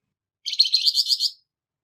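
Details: A single rough, buzzy phrase from a Flamboyan bird with a harsh voice, used for training songbirds: about eight rapid pulsed notes in under a second, clean with no background.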